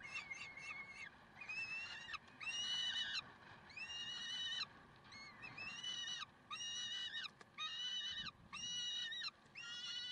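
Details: Peregrine falcons at Karlsruhe, 30 May 2010: quick harsh notes at first, then a steady series of longer grating wails about a second each, with one sharp click partway through.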